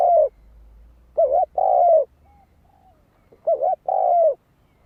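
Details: Spotted dove's lure song used to attract wild birds: two full phrases of a wavering coo then a long, gently falling coo, separated by soft, quieter coos.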